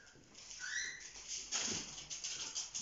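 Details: Young captive cockatiels over four months old, a lively group at play: one short rising whistled chirp with bright overtones stands out above steady scratchy rustling and fluttering noise.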